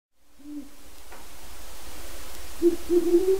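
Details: Wild Great Horned Owl hooting in a yard within its territory, where a non-releasable captive breeding pair lives in a pen. Low hoots open the clip, then louder, deeper hoots near the end over a low background rumble.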